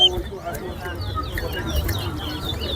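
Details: A Large-billed Seed-finch sings in a singing race at a bird-singing competition: quick, high whistled and warbled phrases running continuously, over a man's voice counting aloud and low crowd murmur.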